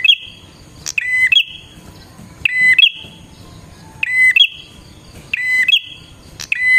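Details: Bar-winged prinia singing busily to draw in wild prinias: clipped high notes and long buzzy trills alternate in a fast, steady series, with a short sharp click between some phrases.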